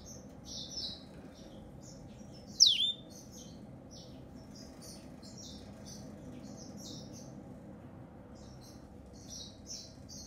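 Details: A grey singing finch sings a high, clear string of quick chirps and short trills with brief pauses. One sharp descending whistle-like sweep cuts in near the start. The background is quiet.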